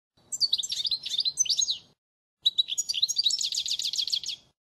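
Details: European goldfinch delivering a faultless training song for young birds, 2016: two lively phrases of high, jangling twitters and trills, the second ending in a fast, evenly repeated rattle, with a short silence between.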